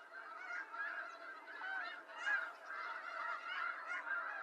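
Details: Softer, more distant-sounding chorus of snow geese from eastern North America, a continuous murmur of overlapping honks with a louder yelp just past two seconds.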